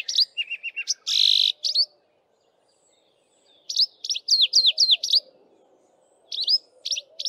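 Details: A male Streaky-headed Seedeater sings canary-fashion at dawn atop a bush while females nest-build: a buzzy burst and chips, a quiet gap, then strings of sharp slurred whistles repeated in quick succession.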